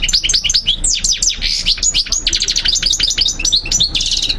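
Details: European goldfinch song, played in 2023 for birds to hear and memorize: a fast, unbroken twittering of high chirps, short slurred whistles and buzzy trills, with notes sweeping up and down and no gaps.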